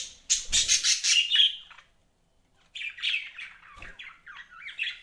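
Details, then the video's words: Loud harsh budgerigar squawks and chatter open the recording, then after a two-second lull comes softer, quicker twittering with rising and falling chirps. "BUDGIES CHIRPING SOUND"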